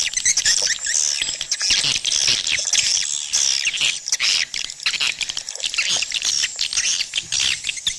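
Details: Dense high chirping and twittering of swiftlets, played to attract them into nesting houses, rising and falling in intensity with brief quieter gaps.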